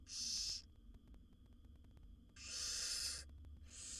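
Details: Nestling barn owls in a wild nest box, calling while the mother feeds her seven young: two drawn-out, harsh snoring hisses separated by a pause of nearly two seconds, a third starting at the end.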